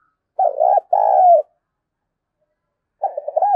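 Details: Spotted dove cooing to lure others (gọi mồi, thúc bổi). A stuttered opening and a long steady coo sliding downward, then silence, then the start of another phrase with choppy notes.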